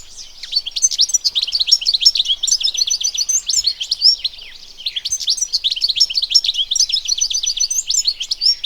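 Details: European goldfinch, known locally as golden goldfinch, Turkmen bride or taqtaq shawk, recorded in nature: a fast, continuous, tinkling twitter of high chirps and short trills, briefly pausing near the middle before resuming, with little background noise.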